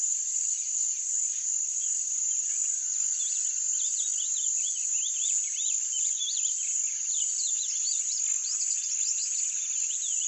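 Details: Rusty-collared seedeater (Sporophila collaris) singing: a run of quick, high, upward-flicking notes that comes faster and denser in the second half. Under it runs a loud, steady, high insect drone.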